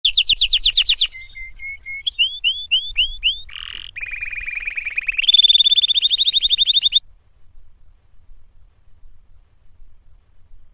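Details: Canary singing a varied song of rapid tours: repeated high whistled notes, then fast trills and buzzy rolls shifting pitch every second or two, ending in a bright sustained trill before quieter faint notes.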